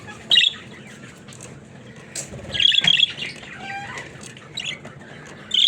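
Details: Pet budgerigars: quiet murmuring warble broken by loud sharp chirps at the start, middle and end, plus faint scratchy rustles.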